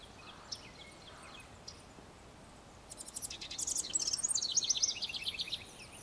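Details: House wren song beginning after a few quiet seconds of faint distant chirps: a sudden burst of very high rattling notes followed by a rapid tumbling series of repeated descending phrases.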